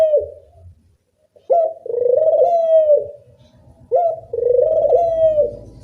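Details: Dove calling loudly, used as a lure recording to train doves to call: a short clipped coo followed by two long, rolling, low coos, each over a second, with faint indoor background.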